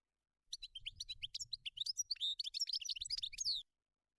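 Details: Goldfinch song in the wild, European species: a continuous, lively stream of high chirps, twitters and slurred whistles with a few buzzy notes, about three seconds long.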